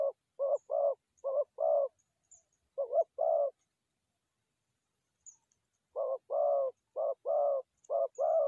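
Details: Forest dove call used for trapping: short clipped coo followed by a longer fuller coo, pairs repeated in two bursts separated by a few seconds of silence; faint high ticks in the background.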